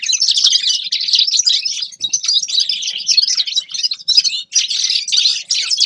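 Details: Loud, rapid twittering song of a Grey-crowned goldfinch: bursts of scratchy, jingling notes run together in long phrases, broken by brief gaps near two and four seconds.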